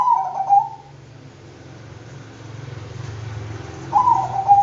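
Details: Bangkok-type zebra dove, perkutut, giving two short bursts of soft cooing notes, one at the start and one near the end, separated by a quiet gap over a steady low hum.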